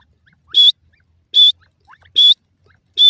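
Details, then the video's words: Grey francolin, locally called dakhni teetar, giving loud, harsh, strident calls repeated about every 0.8 seconds, each burst preceded by softer, lower notes, against an otherwise quiet background. "partridge ki boli"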